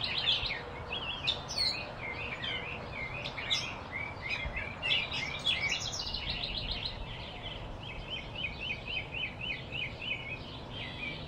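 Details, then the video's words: Blue-throated flycatcher in Arizona, a field recording: varied high twittering and chattering phrases give way to a rapid, even string of repeated notes, heard against a faint constant background hiss. "field recording - blue-throated flycatcher arizona"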